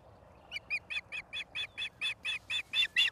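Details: Osprey at Charlo, Montana, on 09/11/2023 at 16:04, giving a rapid string of bright, piercing whistled chirps. The notes are evenly spaced, about four a second, and swell in volume toward the end.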